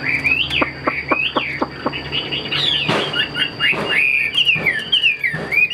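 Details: Caged Chinese hwamei mixes upward-swooping whistles with dry click-like notes, then a harsh noisy burst, followed by a flowing string of slurred whistled phrases, with a steady high whine throughout.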